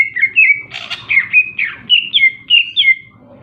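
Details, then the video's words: Greater green leafbird singing a quick series of bright, slurred whistled notes, repeated about three per second, with one harsh burst early on. "burung cicak ijo super gacor"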